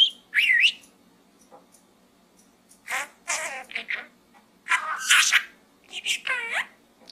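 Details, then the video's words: Pet budgerigar in a small gourd, giving a looped whistle at the start, then gravelly, nasal chatter bursts with harsh, rasping notes after a quiet stretch. "Bird Talk in the small gourd Part 2 - Pedro the Budgie"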